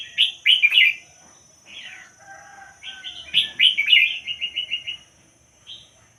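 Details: Pied-head line red-whiskered bulbul kept in a cage sings lively chattering phrases that end in a quick run of even repeated notes, with soft whistles between bursts.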